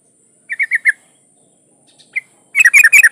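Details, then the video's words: Yellow-vented bulbul female in breeding condition calling to attract a male: four quick chattering notes, a lone note after a pause, then a denser, louder burst of rapid notes at the end. "trucuk betina memanggil jantan"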